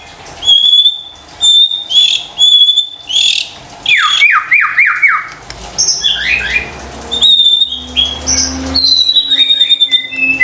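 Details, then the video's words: Shama lure song, white-rumped shama, for rousing birds that have stopped singing: long thin high whistles alternating with harsh bursts and a quick series of four descending slurred notes, phrases spaced by short gaps. "PANCINGAN murai batu STRES dan MALAS BUNYI seketika LANGSUNG nyaut dan GACOR dengar suara INI"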